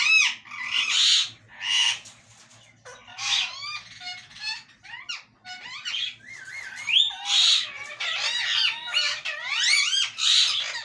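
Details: Talking parrot producing a lively stream of whistled and squeaky mimicked syllables, pitch swooping up and down, the phrases growing denser toward the end, heard indoors.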